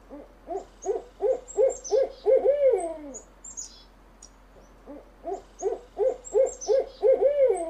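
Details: Owl hooting used to lure birds: rapid repeated short arched hoots, almost three per second, building into a longer descending wavering note, a pause, then another quick hoot series.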